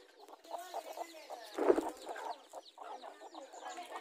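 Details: Hens fighting for territory in a garden among newly hatched chicks: a stream of low, rapid clucking notes with one loud harsh burst near the middle, then more choppy clucks.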